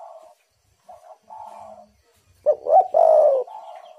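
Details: Lure call of a spotted dove meant to stir wild doves: soft faint coos first, then one loud three-part phrase of a clipped note, a rising coo and a drawn-out falling coo, trailed by a quieter reply.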